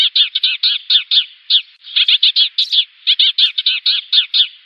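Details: Lure call of a Eurasian tree sparrow, summoning the flock for trapping: a steady series of sharp, slightly squeaky chirps, often in pairs or threes, repeated with short gaps throughout.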